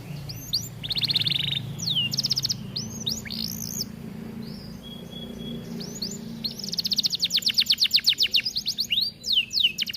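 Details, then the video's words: Atlantic canary song used for training: rolling trills and looping upslurred notes, a short pure whistle, then a long, very fast trill of repeated notes, over a faint low rumble. "Kenari gacor cocok untuk masteran"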